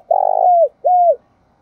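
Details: Spotted dove used as a decoy for wild doves, giving a long, low, throbbing coo that trails downward, followed by a shorter arched coo. Quiet surroundings.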